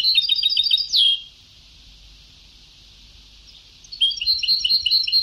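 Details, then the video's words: Old-tape recording of a European goldfinch singing in the Sebtawi style: quick repeated high chirps, a sliding downward trill, then a long silence before another burst of rapid, tinkling twitters. "Canto del jilguero antiguo شريط تغريد سبتاوي قدييييييم"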